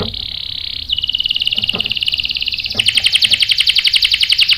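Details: Canary song used to provoke answering song from other canaries; a continuous fast rolling trill, changing pitch twice and turning louder and more pulsed in the final part.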